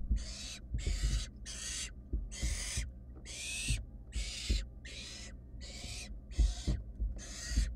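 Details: Barn owl nestlings, wild, inside a research nest box, keep searching for a mouse a sibling swallowed fast; a steady run of rasping hissed screeches, roughly one every 0.7 seconds, with thumps and shuffling beneath.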